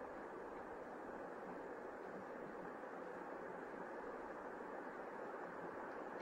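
Even, rushing broadband noise like wind or a passing vehicle, with no animal sounds.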